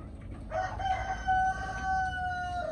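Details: Chicken crow at moderate distance: a choppy start, then a drawn-out, even, nasal note lasting about two seconds and falling at the close, with steady low-frequency background noise.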